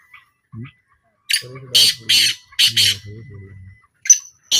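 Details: Black francolin heard in a 2025 calling trial, giving a series of coarse grating bursts in an irregular run, with a brief thin whistle-like note near the end and low murmuring voices underneath.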